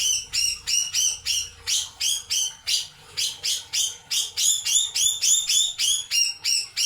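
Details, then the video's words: Puff-backed bulbul giving a steady run of bright, buzzy notes, each a short downward-sweeping chirp repeated about three times a second with hardly a break, over a quiet low rumble. "Cucak jenggot"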